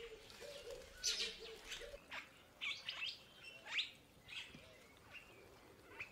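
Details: Purple starling (purple glossy starling, Lamprotornis purpureus) gives harsh, scratchy calls mixed with short squeaky notes, roughly every half second to a second, over a low hum.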